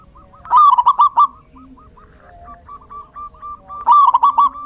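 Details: Two loud, rolling bursts of quick cooing notes from a zebra dove in the rainy season, about three seconds apart, with soft repeated coos from other doves between them.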